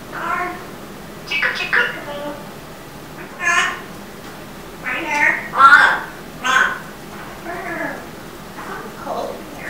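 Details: Indoor African grey parrot ending its little Rock-a-bye-birdie song with mimicked words like "bye bye chick": a series of short, breathy, speech-like syllables in uneven bursts, in a quiet room.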